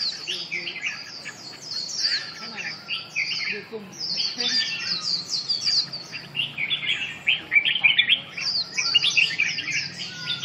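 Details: Red-whiskered bulbul singing: fast, busy bursts of high chirps and slurred twitters, several bursts separated by short gaps across ten seconds, with a low background murmur.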